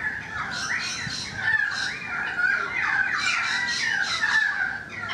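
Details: Currawong song from a balcony: continuous gliding whistled notes, rising and falling, with a busier burst of overlapping phrases in the second half.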